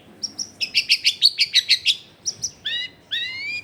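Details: Long-tailed shrike song played as a lure for lazy shrikes, from a densely populated neighbourhood: a rapid series of about ten bright chirps, then a few short notes and two long rising whistles with harmonics.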